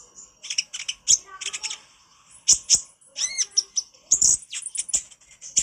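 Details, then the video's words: Konin bird singing on a master recording meant for training birds, with high, rapid chatter of squeaky chips, a short rising warble in the middle and scattered sharp notes. "Masteran burung konin gacor nyrecet cerewet"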